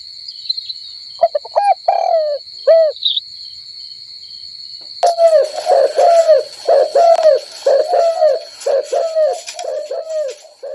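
Doves give short, arched, hoarse notes in scattered bursts, then a rapid overlapping run of about one per second, over a steady high-pitched whine.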